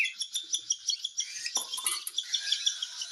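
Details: Cockatiel during hand-feeding: quick high buzzy begging pulses, interrupted midway by a soft scraping or fluttering noise, then continuing in an irregular chatter.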